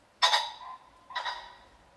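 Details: Common pheasant of the European and UK countryside giving two harsh, rasping, harmonic-rich calls, the first loud and abrupt, the second softer about a second later, each trailing off quickly over a quiet background.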